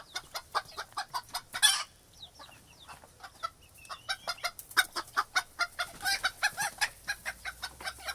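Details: Chickens in a coop giving dense, overlapping clucks, short clipped notes tumbling one after another with a brief louder squawk near the start and a busier burst toward the end.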